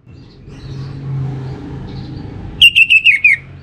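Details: Kept orange-headed thrush (anis merah) in North Bali sings a lure phrase: six quick whistled notes stepping gradually downward, coming after a long stretch of low rumbling background noise.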